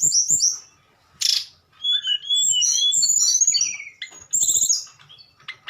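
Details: Flute-like nyuling song from a tledekan: clear whistles and quick warbled notes in busy phrases, with a loud noisy burst early on and rapid chirps near the end.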